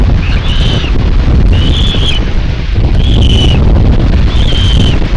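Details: Live nest camera, Tiszalök, Hungary, 27 May 2022: common buzzards utter four evenly spaced, drawn-out whistled mews, each about half a second long, beneath a heavy, continuous wind rumble.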